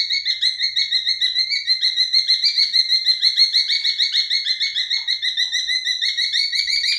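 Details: Albino male cockatiel gives a steady, rapid warble, about three notes per second, running without a break for the whole stretch.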